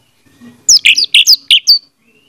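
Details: Orange-headed thrush song played as a lure: a quick burst of six high chirping notes in about one second.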